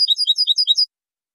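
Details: High-quality European goldfinch song meant for training: a short phrase of about seven quick, bright twitters that ripple between high and slightly lower notes, then stops. The recording is clear with no background noise.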